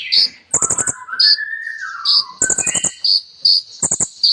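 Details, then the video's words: Sunbird (kolibri ninja) in full song, packed with borrowed phrases from ciblek and cililin: high thin whistles near the top of the range, a long lower whistled glide that slowly rises and falls, and bursts of sharp dry rattling clicks. "KOLIBRI NINJA GACOR FULL ISIAN MEWAH"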